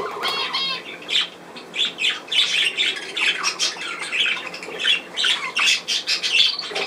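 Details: Budgerigar squawks and chirps come in a quick, pulsing run, a harsh burst about every half second over a continuous layer of softer warbling.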